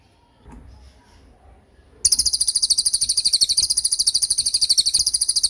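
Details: A cililin delivers its tembakan song, recorded for training songbirds. After two quiet seconds, a loud, continuous, machine-gun-like trill of high pulsed notes runs to the end.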